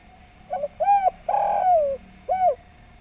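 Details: Spotted dove in lively song, sung in a pleasing, melodious style: three hollow coos, a short arched note, a long drawn-out coo sliding downward, then another short arched coo, over a quiet background.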